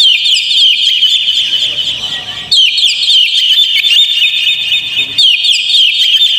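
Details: Oriental magpie-robin singing to stir a caged bird into song: bright whistled notes and rapid twittering, softer for a moment around two seconds, then a loud burst of layered chirps continues to the end.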